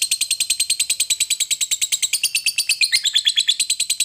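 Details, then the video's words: Fighter lovebird giving its long ngekek chattering, kept to provoke other lovebirds into singing: rapid harsh metallic notes, about three per second, run without pause and slide slightly lower near the end. "Lovebird fighter ngekek panjang sekali bunyi bikin Labet Lain emosi dan ikut bunyi"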